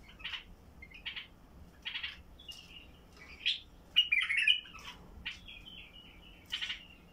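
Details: White-eared bulbul of the Basra type, a heavy-throated singer meant to set quiet bulbuls singing, gives a run of short sharp chirps about once a second, then a richer twittering phrase midway and a final clear note.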